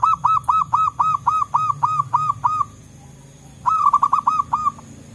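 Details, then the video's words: Zebra doves calling back and forth in the wild forest: a run of about ten rapid, clipped cooing notes, a short pause, then another burst of around seven, with a low hum beneath. "Suara Burung Perkutut Lokal Gacor"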